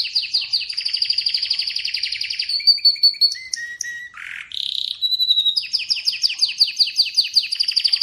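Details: Atlantic canary in full song, with rapid rolling trills, a few clear whistled notes and a short harsh buzz in the middle, then fast repeated chirping phrases again.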